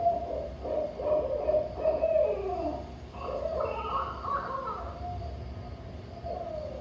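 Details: Barred owl of the Pacific Northwest giving a rhythmic series of deep, rich hoots in the 'who cooks for you' cadence, with a faint background hum.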